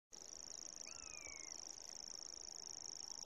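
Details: Common grasshopper warbler reeling in Doncaster, South Yorkshire, recorded through a phonescope: a steady, very high, insect-like mechanical trill running unbroken through the clip, with a brief whistled slur from another bird partway through.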